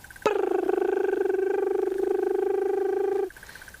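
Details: Crested Barbet on a treetop at sunset during a bushwalk in the African bush gives a long, rapid, even trill at a steady low pitch, about three seconds like a ringing alarm clock, before stopping abruptly; magpie shrikes nearby.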